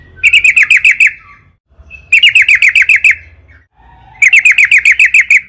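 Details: Chattering song of a yellow-vented bulbul played to lure trucukan into singing: three evenly spaced bursts of about seven fast, bright, bouncing notes each, with quiet gaps between.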